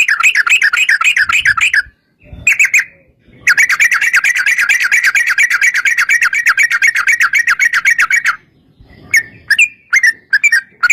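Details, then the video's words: Yellow-vented bulbul (trucukan), sung as a lure to make other bulbuls answer: a long, rapid rolling trill of fast bubbly notes lasting several seconds, then a pause and scattered short chirps. "trucukan gacor TARUNG ROPEL PANJANG pancingan trucukan agar bunyi jadikan burung trucuk gacor NYAUT"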